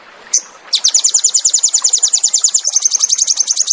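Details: Crested jay, locally sogon, in fierce 'tembakan' song for cage-bird training: one sharp note, then an unbroken fast trill of high, evenly spaced notes lasting about three seconds.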